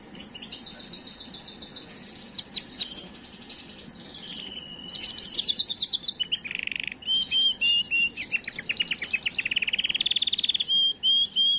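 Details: Canary song played to prepare and excite females for breeding: softer scattered chirps at first, then loud pulsed trills, a low buzzy roll, and rising rapid note series with brief clear whistles.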